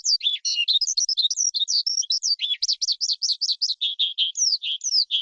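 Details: Forest skylark song, used to stir wild birds, for trapping or voice training of young birds: jumbled high chatter, then a fast run of repeated sharp notes, then lower buzzy notes and downslurred whistles.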